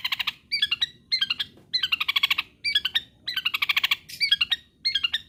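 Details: Long-tailed shrike song meant to provoke other shrikes to keep singing: repeated phrases of rapid harsh rattling notes alternating with clear upslurred chirps, each phrase lasting about half a second with short pauses between.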